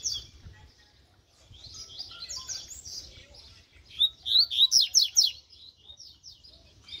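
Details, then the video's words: Double-collared seedeater of mutant colouring, described as spirited, training its song: quiet warbling that builds into a loud burst of rapid, sharp, slurred notes, followed by softer twitters and low background noise. "COLEIRO MUTANTE UM TREINO"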